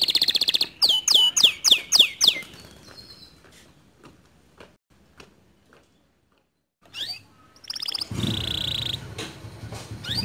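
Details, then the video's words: Canary song used to goad a quiet canary into singing: a quick series of sharp down-slurred notes, a long near-silent stretch with soft ticks, then a short sweep and a rough trill over low background rumble. "Memancing Emosi Kenari Malas Bunyi Agar Ikut Gacor Dengan Kicauan Kenari ini"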